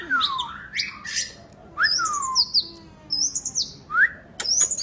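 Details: Kacer (oriental magpie-robin) in bold song, broken by brief pauses: clear falling whistles, a buzzy sweep, high thin warbled phrases and a final sharp chip, heard in 'gacor' form.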